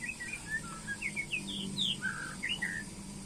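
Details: White-rumped shama being paired: a continuous run of clear whistled notes, short slurs alternating high and low, rising toward the middle of the phrase, with a faint steady hum behind.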